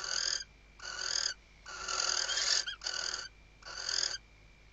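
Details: Female western barn owl, filmed by nest webcam at Riet Vell Nature Reserve, Ebro Delta, Spain, in 2023, stuffing the nest and calling the male: five loud, hoarse hissing screeches in quick succession, the middle one longest, over faint hum.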